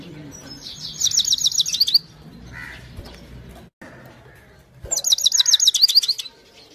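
A European goldfinch sings in two bursts of rapid, tinkling, high twitters.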